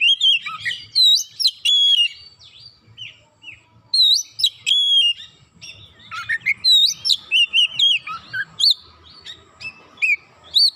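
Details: Oriental magpie-robin, emotional after one provocation, unloading its repertoire in near-continuous song: loud sharp whistles and hooked chirps, repeated in quick clusters, with brief gaps and a scratchy passage midway.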